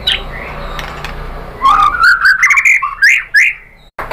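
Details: White-rumped shama song used to stimulate other birds: after a quiet start, a rising chain of clear whistled notes with sharp ticks above, ending abruptly.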